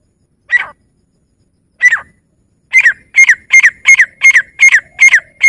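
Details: Grey francolin (teetar) calling: two separate shrill, downslurred notes, then a quick run of about eight loud, piercing notes, each sliding downward, given roughly three per second against a silent background.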